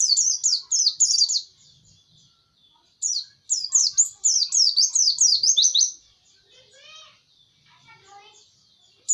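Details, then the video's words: White-eye delivering two extended bursts of rapid, high, down-slurred notes, followed by softer, lower warbled sounds in the background. "Video Burung Pleci"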